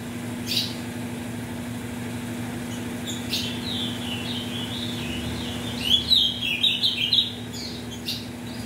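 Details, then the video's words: Captive ultramarine grosbeak, offspring of mutation-bred parents, singing to warm up birds for song tournaments. Faint scattered notes give way to a clear, rapid warbled phrase of rising and falling whistles near the end, over a steady low hum. "ESQUENTE seu AZULÃO em 5 MINUTOS"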